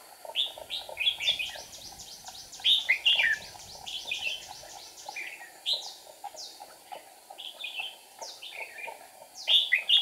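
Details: Red-whiskered bulbul decoy singing to provoke wild rivals during trapping, 8 April 2019; lively series of bright, slurred whistled phrases repeated in quick bursts throughout, with short pauses between groups.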